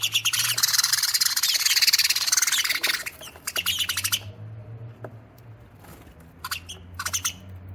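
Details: Sparrows in a cat house chatter and chirp noisily in a dense, overlapping burst for three seconds, then trail off into scattered single chirps over a low hum.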